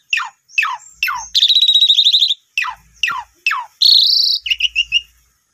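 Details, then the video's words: Asian pied starling singing, meant as a lure to make a freshly bought, quiet bird start singing: several sharp downward-sweeping whistles, a long buzzy trill, a harsh grating note and a few rapid chirps at the end. "Pancingan 2 Menit jitu !! Jalak Suren Baru Beli Macet Langsung Nyaut Gacor Boangkar Full Isian"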